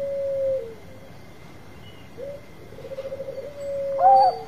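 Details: Zebra dove lure song: soft pure cooing notes, a held tone, a quick run of rapid trilled coos, then a higher wavering coo, over a steady faint background hum.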